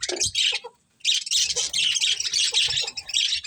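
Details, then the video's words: Colony of budgerigars including a breeding pair: a short squawk, a brief pause, then continuous high, scratchy chattering chirps from several birds, with light low knocks in the background. "Cute Budgies Chirping Sounds | Love Birds Breeding Pair | Budgies Colony"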